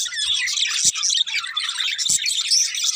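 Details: Several budgerigars chirping: a dense, continuous high chatter of overlapping twitters and short squeaks. Two brief thumps interrupt it, with no other clear sounds.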